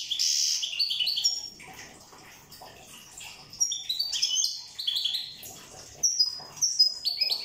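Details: Corsican European goldfinch song opening with a loud buzzy trill, a quieter pause, then lively bursts of high twittering notes and clear pure whistles repeated in short bouts.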